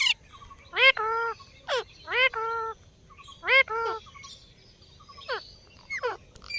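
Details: Indian ringneck parrot talking: short nasal two-part phrases, each a quick rising chirp followed by a flat buzzy tone. The phrase is repeated three times with quiet gaps between, then fades to softer notes.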